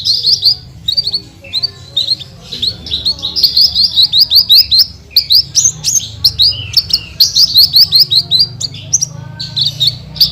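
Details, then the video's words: Vigorous song of a Horsfield's bush lark (branjangan), full of 'tembakan': a nearly continuous stream of quick high chirps and short trills, roughly two or three notes per second in runs, with low hum beneath. "SUARA BURUNG BRANJANGAN GACOR FULL TEMBAKAN"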